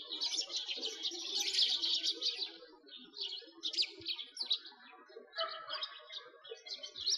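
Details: Sparrows in winter beside a frozen lake in Bratislavsky Park, Moscow, Russia, 2022: a dense burst of bright, overlapping high chirps, then scattered short chirp groups after a brief lull, with a faint low murmur beneath.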